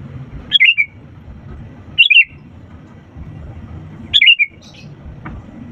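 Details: Sooty-headed bulbul singing energetically as a lure for quiet birds: three crisp phrases of tumbling, descending whistles spaced about two seconds apart, against a soft low rumble.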